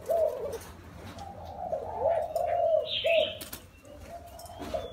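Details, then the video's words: Wild-caught spotted dove, caged for four years, gives a run of low, mellow coos, each note a soft rising-then-falling hump. Short bright chirps from another bird and a thin high whistle sound over them, with a faint low hum. "Gáy bổi 4 năm lồng"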